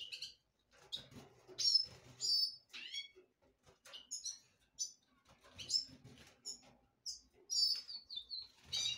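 Black-throated canary singing a lively run of high, sweet twitters and short trills, with quick slurred notes and brief pauses between phrases.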